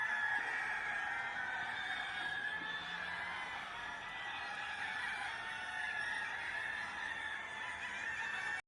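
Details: On a morning at a chicken farm in Jeddah, Saudi Arabia, a large flock of chickens makes a steady, dense clamor of overlapping clucks and squawks, with no single voice standing out.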